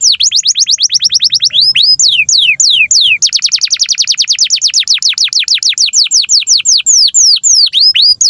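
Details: Canary singing a long master song for training young canaries: continuous rapid series of loud downward-sweeping whistles, changing tempo between tight fast rolls and slower, wider slurred notes, with faint low hum beneath.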